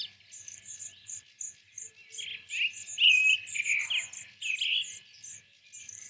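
Sparrow calls: bright, slightly buzzy chirps in quick irregular bursts, loudest midway, over a steady fast high insect-like ticking.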